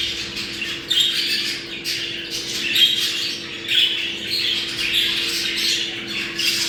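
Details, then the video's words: Budgerigars warbling to prompt breeding: continuous scratchy chatter with squawky peaks about once a second and faint whistles, over a steady low hum. "Muhabbet kuşu kızıştırma sesi. Muhabbet kuşu çiftleşme sesi"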